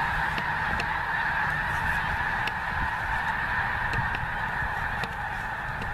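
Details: A flock of geese over the Missouri, a dense continuous honking chorus at even loudness throughout, with a low background rumble.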